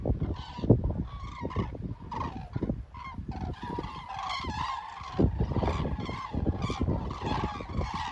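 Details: A flock of common cranes passes over Hillensberg with loud, rolling trumpeting calls that overlap continuously, while heavy low wind rumble runs underneath.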